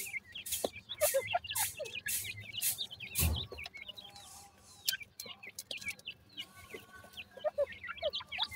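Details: A crowd of grey francolin (teetar) chicks, possibly while feeding, gives high, thin peeps and short rising cheeps, many overlapping in quick succession, with occasional rustling and scraping thuds.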